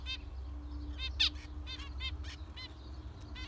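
Zebra finches give short, nasal, toy-trumpet beeps, several in quick irregular succession, over a low steady hum.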